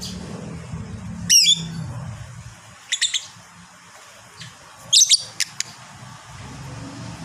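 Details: Fighter lovebird giving scattered sharp high chirps, one clear downslurred squeak, then softer notes and a cluster of quick chips, over a low humming background.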